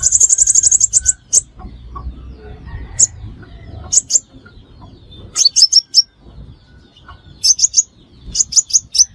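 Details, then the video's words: Sunbird calls played as a trapping lure. A fast rattle of high notes opens, followed by scattered single chips and short bursts of two to four sharp, thin notes over a low hum. "Tiếng chim hút mật 5 màu"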